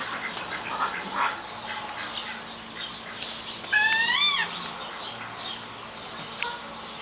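Pheasant hens give one loud, nasal, rippling call of quick rising notes lasting about half a second. Soft scattered chirps and a steady high hiss run underneath.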